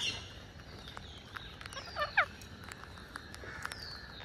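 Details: Green parakeet during feeding gives a few quick, harsh, rising chirps in a short burst, with thin falling whistles and soft clicks around it.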